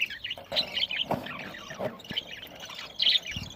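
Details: Budgies chirping as they eat, recorded November 1, 2023 in Larkana, Sindh: a lively mix of high squeaky tweets and rolling warbles from several birds, with faint tapping underneath.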